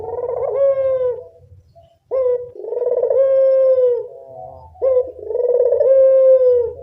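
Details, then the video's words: Lure call of a local puter dove: three long, smooth, mellow coos, each holding a steady pitch before easing down, separated by brief pauses, with a soft low rumble in the background. "Pancingan burung puter lokal"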